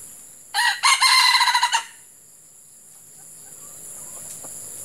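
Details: Wild red junglefowl lured in early morning with a captive F1 hen decoy during Ramadan, when hot weather and breeding-season males are noted; a harsh, pulsed crow lasting just over a second, with a steady high insect hiss behind.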